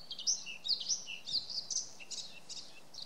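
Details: A Bluethroat in the Volga region, April 2017, gives a quick string of high, varied chirps and thin twittering notes, about two per second, over faint background hiss.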